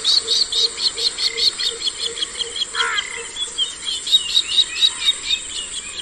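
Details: Bronze-winged jacana calling: a fast series of short, high, squeaky notes repeated about twice a second, steady throughout, with one brief lower, harsher burst near the middle and a constant high hiss behind.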